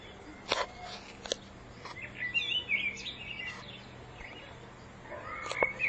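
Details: Spring 2014 song of a common blackbird: after scattered clicks, a burst of mellow warbled whistles in the middle, then quieter notes ending in a higher sliding phrase, against a low constant hum.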